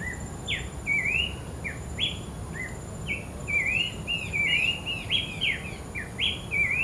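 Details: Wild Abbott's babbler in full song, a lively run of short sweet whistles, upslurred and downslurred, growing denser and overlapping toward the middle, with a constant high-pitched insect drone behind.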